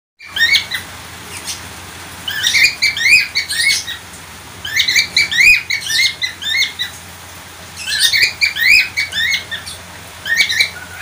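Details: Budgerigar calling in bursts of quick chirped, warbling notes with rising and falling inflections, each burst lasting about a second, separated by short pauses; low steady hum underneath.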